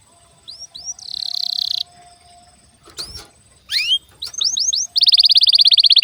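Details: Canary lure song for prompting other canaries to sing: scattered falling chirps, a buzzy trill, a brief noisy burst, then rising whistled sweeps and a fast, loud, ringing trill at the end, with gaps of near silence.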